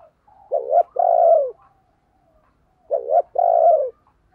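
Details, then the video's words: Owned decoy spotted dove cooing to lure and provoke wild doves. The same phrase comes twice, about 2.5 seconds apart: a rough, dipping double note, then a long, smooth, falling coo. "Tiếng Chim Cu Mồi dùng Kích Bổi Hiệu Quả Mở Là Gáy"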